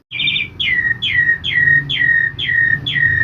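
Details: Asian pied starling in a forest sound recording: seven clear whistled notes, each sliding steeply down from high to lower pitch, repeated about twice per second over a low background hum.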